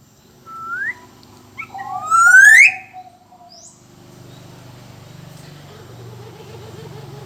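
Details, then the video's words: Black-naped oriole, described as singing actively, giving a short rising whistle and then a loud, harmonic-rich upward-sweeping slur. A low hum and faint wavering tones continue underneath. "suara burung kepodang emas gacor"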